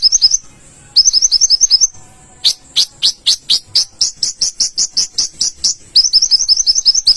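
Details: Olive-backed sunbird singing energetically: bursts of rapid high twittering chirps, then a slower series of sharp, downward-sweeping notes repeated roughly three times a second, ending with another quick twittering run.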